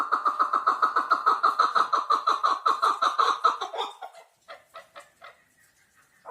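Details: Chukar partridge in a fast, regular run of raspy chuck notes, about three per second, that stops abruptly and gives way to a few softer, scattered notes.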